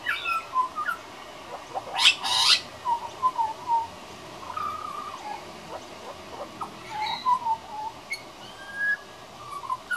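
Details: Young pied butcherbird rehearsing its song, a frequent visitor: soft mellow whistled notes in loose sequences, broken by a loud rasping high-pitched burst near the start and scattered short clicks.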